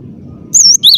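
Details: Cinereous tit singing actively with a clear, insistent voice: after a low background rumble, two loud, high whistled phrases, the first level and wavering, the second dropping lower and undulating.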